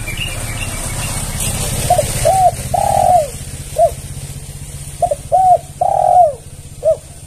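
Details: Spotted dove coo used to lure other doves: two phrases of soft notes, two short coos leading into a long sliding coo, each closed by an extra brief note, over a low hum.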